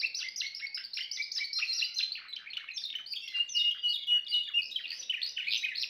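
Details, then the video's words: Timbrado canary song built from quick repeated trill units, shifting into a smoother whistled rolling passage near the middle, then returning to rapid chirps. "meilleur chant canari l chant canari timbrado"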